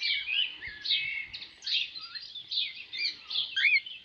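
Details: Cockatiels at play and bathing outside in a backyard pool during summer, giving busy overlapping chirps and squeaky whistled notes in quick bursts, with a slurred upward call near the end.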